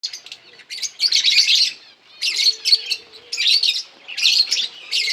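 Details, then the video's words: Lovebirds feeding on green food, recorded August 4, 2024; bursts of shrill, buzzy chirps come in clusters about a second long with short pauses, several birds calling together, and a faint low hum underneath. "Lovebirds eating green food birds chirping sounds"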